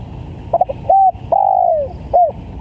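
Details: Spotted dove, vigorous lure call for bird trapping, giving one phrase: a stuttered opening, a short level coo, a long drawn coo that sinks in pitch, and a clipped closing coo, against a soft humming background.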